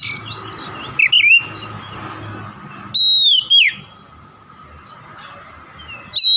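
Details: Oriental magpie-robin (kacer) lure song used to prompt reluctant kacer to sing: loud clear whistled phrases, one sliding downward, separated by pauses, with faint high chirps later and a steady hum underneath.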